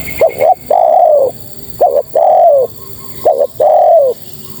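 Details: Female spotted dove calling for males with three clear phrases, each opening with two quick upslurred notes and ending in a sustained, gently falling coo, evenly spaced.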